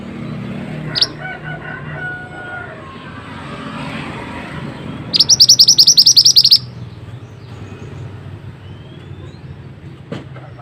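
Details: Mantenan bird, masteran training song: a single short burst of rapid high chirps lasting about a second and a half, between long quieter stretches with scattered faint notes and low hum.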